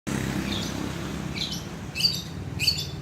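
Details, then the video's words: Long-tailed shrike singing in imitation of a lovebird: a few sharp, high chirps spaced about half a second apart near the end, over a steady low hum. "Cendet rasa love bird"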